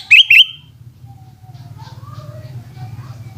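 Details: Sooty-headed bulbul singing in the afternoon: two quick bubbly, rising-then-falling whistled notes at the start, then quiet with faint low hum and distant soft sounds.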